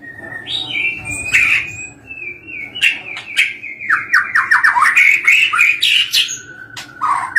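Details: White-rumped shama singing a rapid, varied sequence: whistled slurs, sharp clicks and a dense cascade of descending chattering notes, ending with a rising-falling whistle; faint low hum underneath.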